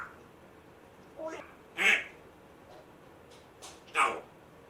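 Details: Rescued male African grey parrot, one month after rescue, kept in a cage, making odd mimicked sounds: two loud squawky bursts about two seconds apart with softer quieter notes between, over low room hiss.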